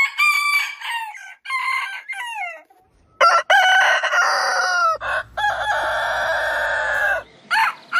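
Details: Roosters crow in loud, harmonic bursts: a short crow opens, then a long drawn-out crow follows, with a low engine-like hum underneath.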